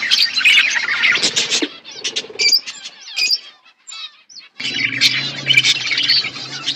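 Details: Flock of budgerigars eating winter food, busy high chirping and warbled chatter that thins to scattered notes and near silence midway, then resumes in a loud overlapping chorus.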